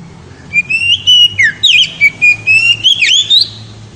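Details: Loud, ringing oriental magpie-robin song aimed at exciting a female: continuous rapid series of clear whistled notes, about ten pulses, wavering and rising in pitch with sharp high flourishes throughout.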